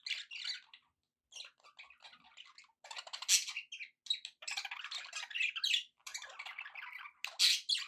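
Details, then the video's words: Happy pet budgerigars chatter in bursts of buzzy warbles and squawks, starting sparse with gaps and growing denser, ending with a loud harsh squawk. "happy budgie sounds"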